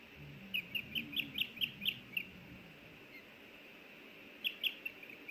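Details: Osprey at a nest in Hellgate Canyon, Missoula, Montana, on May 24, 2024, as a small fish is brought in and the female wants a bite: a burst of about eight sharp high chirps, then two more near the end.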